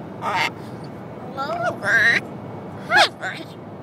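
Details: A male pet Catalina macaw talking on a road trip from Massachusetts to Washington: four or five short, voice-like bursts with rising and falling pitch, spaced over a few seconds against a low steady hum.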